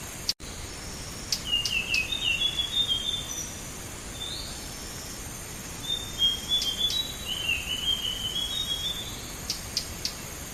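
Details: Blue whistling thrush song played as a bird-trapping lure: after a click, two high, fast warbled phrases with slurred whistles, separated by a short pause, ending in ticking clicks, over a continuous hiss.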